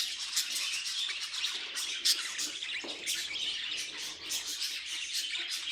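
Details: Pet budgerigar noises: a dense, continuous warble of scratchy chirps, clicks and short squeaky notes, rapid and unbroken throughout, with one sharper squeak near the two-second mark.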